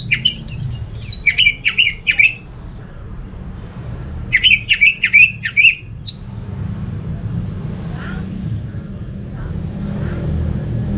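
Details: Song of an orange-headed thrush meant to set other thrushes singing: high whistles and a rapid string of five similar chirps, a short gap, another matching burst, then only soft distant notes and background rumble.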